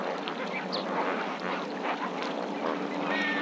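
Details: Lesser flamingos at Marievale: a dense, continuous murmur of many overlapping goose-like honks and gabbling calls from a large flock, steady throughout.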